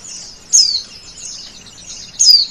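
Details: Male oriental white-eye giving high, thin twittering song with two louder sharp descending chirps separated by softer continuous warbling.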